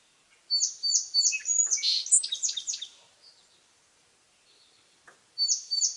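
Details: Song sparrow song in quiet surroundings: three evenly spaced introductory notes lead into a rapid, varied jumble of high whistled and buzzy notes. A few soft notes follow, then a fresh song begins with the same repeated opening notes.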